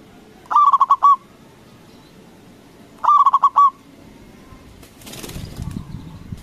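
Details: Local zebra dove with a big voice, calling to provoke other doves. Two rolling pulsed coos come 2.5 seconds apart, followed by silence and then a brief burst of broad rustling noise near the end.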